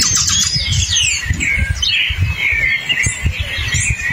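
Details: A hepatic tanager singing in the forest gives a run of burry, slurred phrases that sweep downward, over a low rumble of wind or handling noise.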